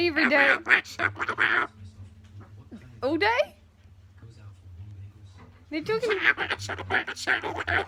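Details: A male corella, talking and coughing indoors, gives raspy, speech-like chatter in three bursts, with one rising squawky sweep between them, over a low indoor hum.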